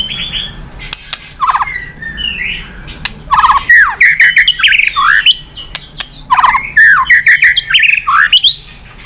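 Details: White-rumped shama pouring out loud, varied phrases of whistled slurs, rapid trills and clicking notes in dense bursts, with brief pauses between; song used to prompt other birds to sing.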